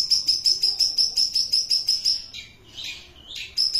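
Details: Long-tailed shrike in lively song: a fast series of sharp, high whistled notes, about three each second, breaking into a harsh, scratchy passage before the whistles resume.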